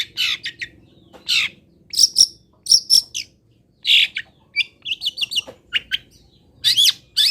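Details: Local long-tailed shrike from Pati delivering its essential song fill for tutoring: a varied, jumbled run of high chirps, short whistles and buzzy notes in irregular bursts, with a low background drone.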